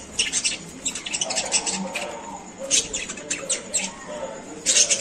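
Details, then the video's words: Lovebirds playing, Mahabubnagar, India: shrill, harsh chirps and squawks in quick clustered bursts, several notes at a time with short pauses between, repeated through the recording over a low background hum. "love birds voice"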